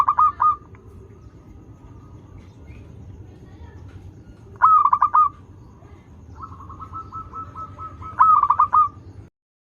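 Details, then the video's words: Local zebra dove, a frequent singer used as a lure for doves learning to sing: three clear cooing phrases, each a sharp note followed by quick rolling stutters, with a fainter, long, even trill between the last two. "PERKUTUT LOKAL GACOR Suara Merdu || pancingan paling disuka perkutut yg belajar manggung"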